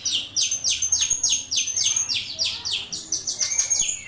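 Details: Starling song for teaching other birds: quick falling chirps in a rapid, slightly uneven train, with a thin high whistle overlaid through much of it.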